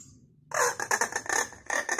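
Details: Loud, harsh screeching from a hill myna imitating chicken sounds, with a rapid train of rough, broadband pulses, a short gap, then more raspy bursts.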